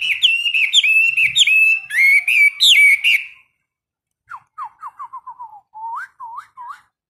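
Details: Caged Chinese hwamei during a daily 15-minute morning singing-training session: loud, rich whistled phrases with sliding, looping notes for about three seconds, a pause, then a softer series of short descending and upward-hooked whistles.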